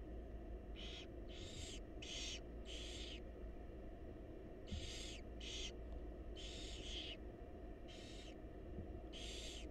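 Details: Wild barn owl nestlings beg for food from their mother inside a monitored nest box: rapid series of rasping hisses, often in close pairs, over a continuous low hum.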